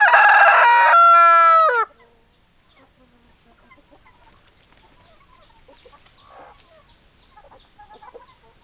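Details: Rooster crowing: one loud, harmonic-rich crow lasting nearly two seconds, strained then falling at the end, followed by quiet soft clucks and scratching sounds.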